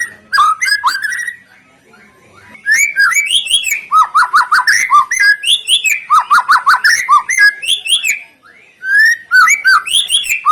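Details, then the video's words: White-rumped shama song to prompt other birds into song: bursts of rapid repeated notes and rich whistled slurs, with two short pauses between long energetic phrases. "sekali dengar murai,trotoll,pastol ikutan bunyi,cocok untuk pancingan murai batu yg kurang efektif"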